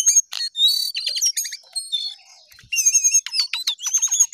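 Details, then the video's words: Jongkangan singing hard: clear high whistled notes and trills in quick bursts, a short quiet gap, then a run of rising and falling chirps. "Jongkangan Gacor Naik Turun Oke"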